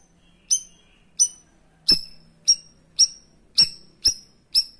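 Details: Cream-striped bulbul (cucak rawis) in the sharp 'tembakan' song style, used as tutor song for competition birds: eight short, piercing high notes at irregular intervals, each a bright metallic chip with ringing overtones, over a faint low hum.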